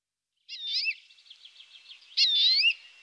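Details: European greenfinch singing: a short twittering phrase, a low rapid warble, then a loud drawn-out wheezy buzz of about half a second.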